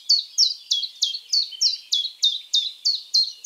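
Common Chiffchaff singing a steady string of high, clipped 'chiff-chaff' notes, about three each second, with slightly alternating pitch. No other sounds intrude.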